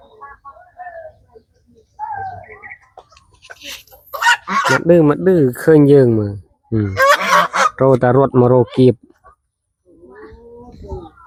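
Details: Geese crowd around at feeding time on a village family farm, giving a run of loud, brassy, downward-bending honks in rapid series, with brief talking before and after.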